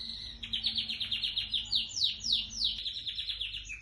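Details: White dominant Syrian canary, home-bred, 'bandouq long' type, delivering fast rolling trills of descending slurred notes that shift speed and pitch mid-phrase, with a steady low background hum.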